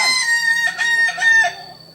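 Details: Kukuak Balenggek chicken from Solok crowing in quick, broken, stepped syllables, four or five pulsed segments within two seconds.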